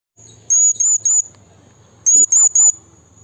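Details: Blue-crowned hanging parrot in the wild, calling a rival: two bursts of three thin, very high whistled notes, each slightly rising and falling, separated by a gap of about a second, over faint low background hum.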